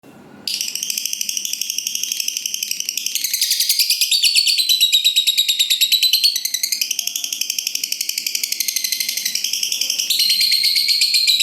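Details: Lovebird giving a long continuous chattering ngekek song, a training lure meant to make other lovebirds sing; rapid high buzzy notes repeated about three per second, sustained and unbroken for over ten seconds.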